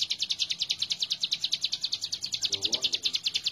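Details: Hill prinia singing hard, a master recording for training birds: rapid repeated high, bright chips at about two and a half per second, with a brief low murmur like a distant voice near the end.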